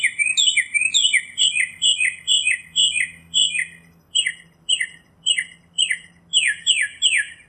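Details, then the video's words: Lively Northern mockingbird song in nature: a continuous run of short, sharply downslurred squeaky notes, about two a second, that shift in shape partway through. "Birds Singing - Northern Mockingbird"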